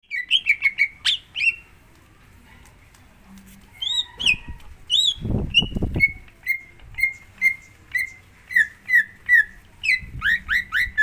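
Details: Greater green leafbird song played as a lure to get another leafbird to sing: fast opening chirps, a burst of low thumping handling noise, then a steady run of clear down-slurred whistles about twice a second.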